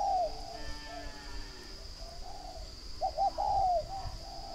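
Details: Spotted dove at a bird farm in Ba Vi, Hanoi, northern Vietnam, giving a loud cooing phrase of short notes and a longer falling coo, with softer cooing from other doves throughout and a steady high hum.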